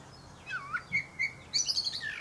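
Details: Common blackbird singing from the top of a pear tree: a quick swooping fluted note, two short mid whistles, then a rapid run of thin, very high twittered notes.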